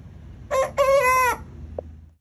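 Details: A young rooster gives one crow: a brief clipped opening note, then a longer sustained strained crow of under a second that ends sharply. A faint low background drone follows.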